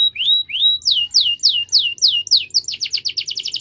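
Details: Canary song to prompt silent canaries: two rising whistles, a string of loud descending slurred notes, then an accelerating trill of short high pips.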